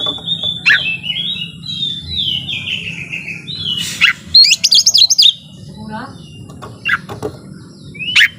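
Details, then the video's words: Kept white-rumped shama in full song: varied whistled phrases and slurred notes mixed with sharp chattering bursts, over low background hum and some voices. "Dengerin Suara Kacer Gacor Ini Bikin Lawan Jadi Emosi Narung On"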